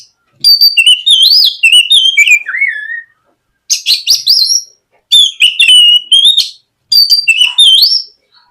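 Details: White-rumped shama lure song, played in the morning to get a young shama singing: loud, rich whistled phrases sliding up and down with rapid trills, in four bursts separated by short silences.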